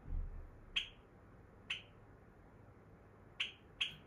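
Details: Pet female Java sparrow, energetic when the owner wants to sleep (owner guesses she wants the blinds closed so she can fly to the mirror and sleep), giving sharp, high metallic chips, single or paired, at irregular intervals over a faint indoor hum.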